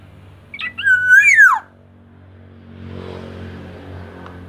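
A black-naped oriole gives one loud, rich fluty whistle that rises, then slurs downward, lasting about a second; a low murmur of background noise follows.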